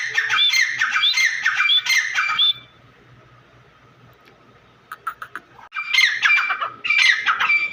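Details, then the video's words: Two Iranian grey francolins (teetar) in a fight give loud, harsh, squawking calls with ringing whistled notes in dense bursts, then a silent pause broken by a few clicks, then another burst of calls. "Teetar ki awaaz"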